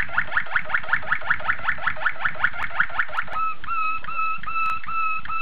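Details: Young Malinois Waterslager canaries, a breeder's first youngsters of 2013, singing: a rapid run of bubbling notes repeated about six times a second, then a shift into steady, pure whistled tones with soft pulsing.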